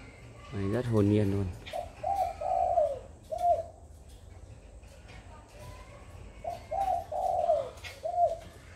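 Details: Very tame spotted dove with red eyes, cooing continuously in the afternoon around 4:30 on 31 July; two low, mellow coo phrases, each of four notes, with a louder drawn-out falling note, after a brief harsh harmonic sound.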